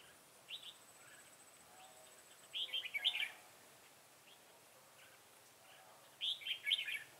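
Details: Trap decoy red-whiskered bulbul in song duel to attract wild bulbuls, September 2018; two loud warbling phrases of bright, jumpy whistles separated by several seconds of quieter chirps.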